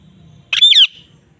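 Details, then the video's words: Parrot calling in the field: a single loud harsh squawk lasting about a third of a second, with a rising then falling tone and rough edges, over faint low background rumble. "parrot Charping in the field || parrot natural sound voice"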